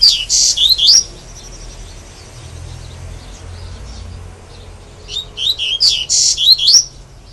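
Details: Double-collared seedeater, a caged pet bird with a song described as 'grego' style, giving two bright bursts of high twittering, buzzy and whistled notes separated by a quiet pause of several seconds.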